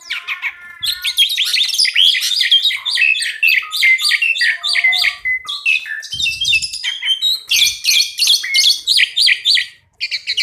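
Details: Two pied mynas in a long, lively duet. Rapid, continuous streams of harsh chatter, clicks and shrill whistled notes run almost without pause. The song briefly stops near the end, then resumes.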